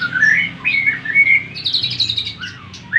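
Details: Greater green leafbird singing to excite other leafbirds: a short run of sliding whistles followed by a high buzzy warbling trill, over a faint low hum.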